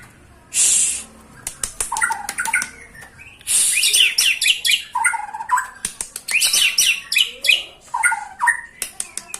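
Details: White-rumped shama in full song: a harsh burst opens, then sharp clicks lead into loud, varied whistled phrases, rapid chattering notes and rising and falling slurs, delivered in quick bursts with brief pauses.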